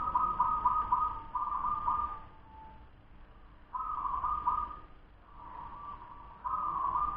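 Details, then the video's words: Ten-month-old local zebra dove giving fast song: several soft, trembling cooing phrases, some running together, against steady background hiss. "Suara perkutut lokal cepat usia 10 BULAN"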